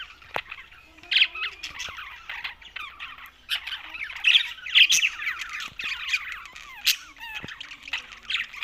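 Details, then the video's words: Pet budgerigars chirping and warbling in uneven bursts, rapid squeaky notes and sharp squawks with quieter gaps between. "Budgies Parrot Talking"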